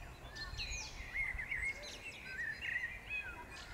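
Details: Birdsong in May 2016 at the Powsin Botanical Garden: several thin, twittering phrases and short warbled chirps, with a few higher whistled notes, over a steady low rumble of background noise.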